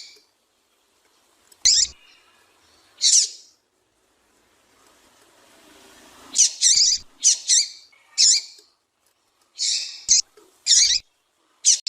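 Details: Female double-collared seedeater giving short, high chipping notes, a female call used to get male seedeaters singing. About a dozen notes over twelve seconds, some in quick pairs, with a faint background hiss.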